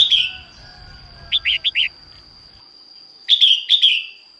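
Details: Morning song of a female red-whiskered bulbul, sung to spur males into voice: a slurred opening whistle, four short clipped notes in a burst, then two louder descending whistled phrases after silence; constant high whine in background.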